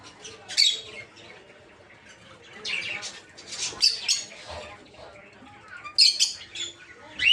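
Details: Several peach-faced lovebirds of different colour forms in a breeding aviary squabble with grating squawks and piercing squeals in irregular bursts, ending on a rising shriek.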